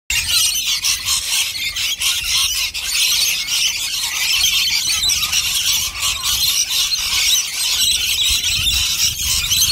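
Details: Rainbow lorikeets in a crowd, feeding on nectar and going crazy for their favourite food; dense, continuous high screeching and squealing chatter from many birds at once, with no pauses.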